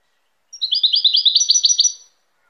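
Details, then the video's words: European goldfinch singing: a bright, fast twittering run of high, liquid notes, tumbling and overlapping for about one and a half seconds before fading, recorded close and clean against silence. "تغريد طائر الحسون chant de chardonneret"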